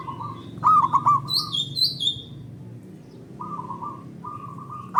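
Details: Local zebra dove singing, used as a lure to stimulate other doves: soft trilled cooing phrases near one pitch, a louder rapid three-note burst, with a higher whistling songbird chirping over it.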